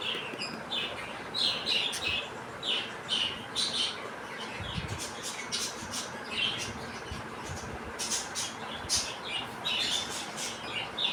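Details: Young pet budgerigars playing outside their cage, talking and fighting with their pair; quiet, high scratchy chirps and short warbling notes come in bursts over steady background hiss.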